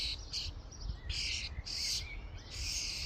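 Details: Common starlings crowding a feeding station; short and longer grating, hissy bursts follow one another rapidly, several birds overlapping, with low-pitched background noise.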